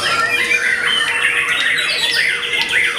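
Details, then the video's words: Post-moult white-rumped shama singing a fast medley of clear whistles and downward-sweeping notes, high-pitched and unbroken, with a faint steady hum underneath. "Murai Batu VOKALIS Pasca Mabung Semakin "WOW""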